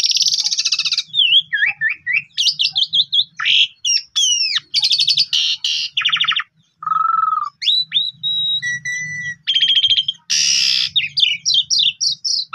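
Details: Long, rich Asian pied starling song used to draw out singing in stressed or silent birds: continuous mix of harsh rattles, bright whistled slurs, nasal notes and squeaky chatter, over a soft low hum.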